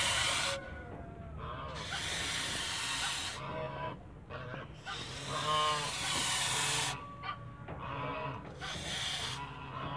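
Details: A male goose in a backyard on a farm, protecting its family, gives loud harsh honking calls in long bursts with short pauses, a noisy broadband rasp throughout.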